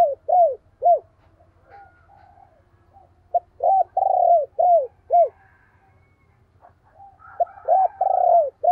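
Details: Spotted dove kept as a decoy to stir rival doves into cooing: deep arched coo notes delivered in short bursts of two to four, some drawn out longer, with quiet chirps and murmurs in the pauses.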